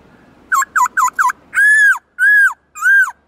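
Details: Captive black-throated laughingthrush changing voices in forest-style song: four quick clipped whistled notes, then three longer, clear, slightly arched whistles at even spacing.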